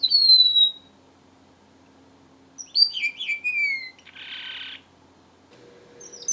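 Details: Long falling whistle from a strawberry finch, a quiet gap, then quick high chirps dropping in pitch, followed by a short hissing burst and a faint steady hum.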